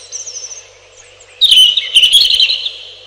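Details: Robin song: soft, high twittering, then a strong burst of rapid, sparkling warbles lasting over a second before it fades.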